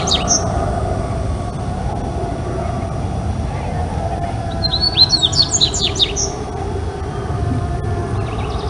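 Dubois's Seedeater gives a quick burst of high, chirpy twittering notes lasting about a second and a half, over a steady low rumble of background noise.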